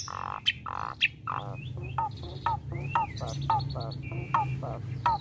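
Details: Javan pied starling from a private collection pumping out a rare isian song: a series of short, clear notes that drop in pitch, about two per second, mixed with longer whistled slurs and some high squeaky notes, over a steady low hum.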